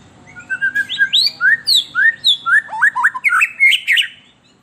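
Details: Lure song of the white-rumped shama for captive birds: a rich, rapid sequence of varied whistles, downslurred and upslurred notes about four per second, ending in a dense, buzzy warbled flourish.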